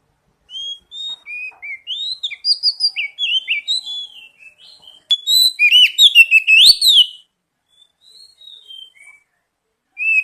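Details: Oriental magpie-robin (kacer) singing as a lure to prompt untrained birds into song: varied whistled phrases with slurred upslurs and downslurs, a dense burst of rich chattering notes midway, then sparse soft notes and a final whistle.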